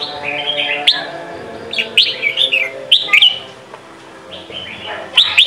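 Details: Training song for young birds, Sông Kon style, from a red-whiskered bulbul: short bursts of liquid whistled notes about once a second, separated by quieter gaps, with sharp clicks and a faint hum.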